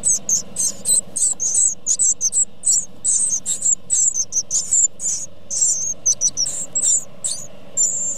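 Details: Great tit (Parus major) nestlings beg while being fed by their parents: a rapid, continuous stream of very high, hissing, twittery calls in short bursts, with a faint low hum underneath.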